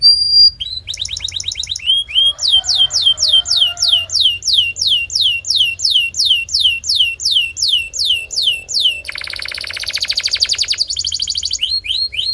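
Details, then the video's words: Canary song played to get other canaries singing: varied tours, including a long steady series of downward-sweeping whistles, then a dense buzzing trill, then more sweeps. "This Singing Canary Will Make Yours Sing Instantly!"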